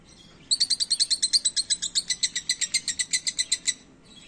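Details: Lovebirds in Lagos de Moreno, Jalisco, Mexico: a rapid series of about twenty-five sharp, high chirps, evenly spaced and bright, running for three seconds over quiet background.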